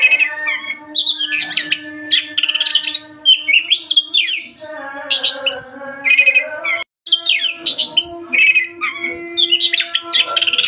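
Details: Lively Oriental magpie-robin song of rapid, clear whistled phrases, rising and falling slurs and scratchy trills, with a constant low droning tone underneath.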